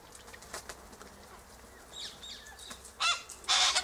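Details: Sulphur-crested cockatoos eating seeds from pods in a silky oak tree. Faint chatter and soft calls lead up to two sudden, harsh raspy screeches near the end, half a second apart.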